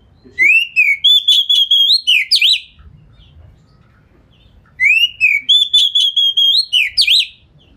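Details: Oriental magpie-robin (kacer) singing a fast, dense lure song, with tail spread, to provoke other magpie-robins into replying; a buzzy rising note then rapid chopped whistles, the same phrase repeated twice about four seconds apart over quiet hum.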